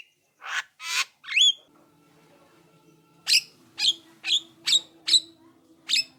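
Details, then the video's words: Javan myna singing energetically as a lure to make other mynas reply: two harsh grating bursts and a rising squeaky whistle, a quiet gap with steady low hum, then six sharp chattering notes roughly every half second. "suara jalak kebo untuk pancingan jalak agar nyaut gacor manggut2"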